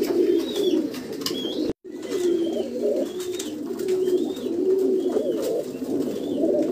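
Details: Black mukhi pigeons in an enclosed space give continuous deep, burbling coos, several birds overlapping, while small birds chirp thinly in the background.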